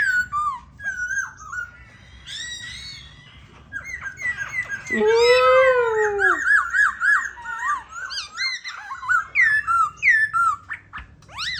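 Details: A captive White-cheeked laughingthrush sings while dancing, a lively run of clear, slurred whistles, some rising and falling in quick repeated loops, with one loud swooping phrase midway.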